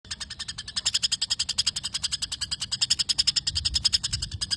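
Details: White-rumped shama singing a long isian gereja, imitated house sparrow phrases: rapid, even series of sharp, high chirps, about three to four each second, steady throughout with faint low background rumble.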